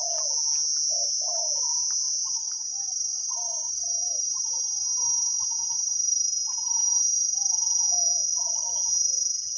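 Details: Spotted dove, wild, a deep-voiced 'khu ang' singer with a fine pattern, Thailand: uneven low cooing notes throughout, partly masked by a persistent high insect buzz.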